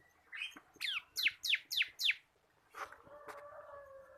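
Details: Local crystal bar-winged prinia in a cage, kept singing constantly for training other birds: five sharp downward-sweeping whistles in quick succession, followed by a brief scratchy note and a faint drawn-out whistle from another bird.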